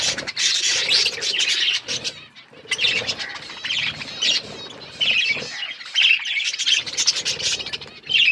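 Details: Australian parrots chirping while eating corn: a dense, continuous chatter of high, overlapping chirps and twittering from several birds at once, with short lulls near the two- and five-second marks.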